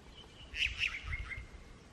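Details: Unicolored jay in Guatemala calling to other members of its flock: a short cluster of two or three bright, clipped chirping notes, with a quiet natural background.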